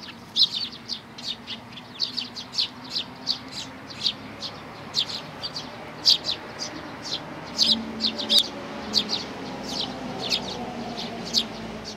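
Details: Sparrow chicks and parents together, 11 May 2019: busy run of sharp high chirps, fairly evenly spaced and sometimes paired, over a continuous low rumbling background.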